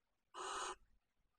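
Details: Common Kestrel (Falco tinnunculus), one of a breeding pair in a nest box at Riet Vell reserve, Ebro Delta, Tarragona, arriving with field-mouse prey: one harsh, rasping screech under half a second, broad and grating, against a quiet background.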